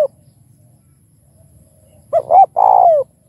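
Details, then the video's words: A single spotted dove phrase, used to stimulate other doves: after a quiet stretch with low background hum, two short hollow notes lead into a long, gently descending coo. "Chim Cu Gáy Kích Bổi Đủ Bài Thúc - Gù - Gáy Gọi - Nghe Là Gáy!"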